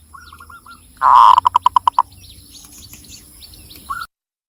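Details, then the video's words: Local Javanese zebra dove from Cilacap, Central Java: a soft run of short hooked coos, then a loud rolling burst breaking into about seven evenly spaced pulses, with small birds chirping faintly in the background. "SUARA BURUNG PERKUTUT LOKAL JAWA GACOR"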